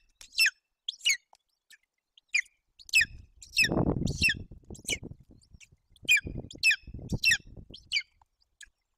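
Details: Golden eagle chick begging at a nest in Bucovina, Romania, in June 2021 as its mother tears up a roe deer fawn: thin, high squeals spaced irregularly, mixed with low rustling and tearing noises from the feeding.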